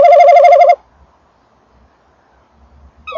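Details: Tawny owl male near the nest box: one short, strong trembling note under a second long, followed by quiet and faint low rumbles, with another note starting at the end.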